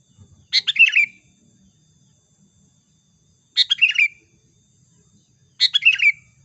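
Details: Sooty-headed bulbul song played as a trapping lure, three bubbly chattering phrases with a falling trailing end, spaced roughly two to three seconds apart against a quiet background.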